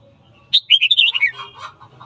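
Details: Morning song of a red-whiskered bulbul trained to spark fighting: a single fluent phrase of quick rolling whistles, high at the start and sliding lower, ending in softer trailing notes.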